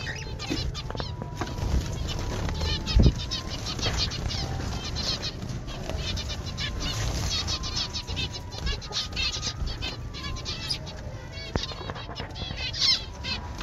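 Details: Zebra finches in an aviary colony give a dense chorus of short, nasal, beeping calls and chatter.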